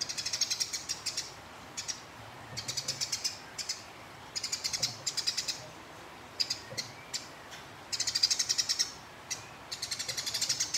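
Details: Rapid, harsh ticking chatter from a house sparrow fighting a rival, given in repeated short bursts about every second or two with brief pauses between, high-pitched and dry throughout.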